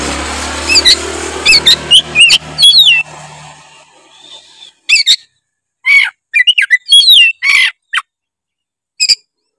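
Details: Oriental magpie-robin singing gacor-style: whistled slurs over steady background hum at first, then crisp isolated phrases of rising whistles and rasping notes separated by short silences.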